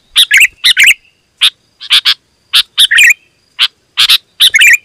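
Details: Sooty-headed bulbul song meant to draw wild birds: paired chirps and gurgling warbled phrases in short bursts with brief pauses, loud and clear.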